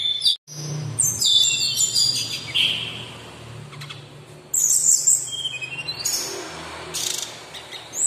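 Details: Sumatran laughingthrush, local bird, in active song: scratchy high chatter and short whistles, a break, then bright ringing notes and harsh bursts over a faint low hum.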